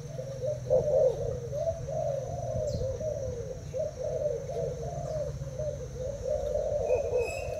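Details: Caged Thai spotted dove cooing against a decoy bird: a dense, overlapping stream of low coos with a steady hum underneath and a brief high chirp near the end.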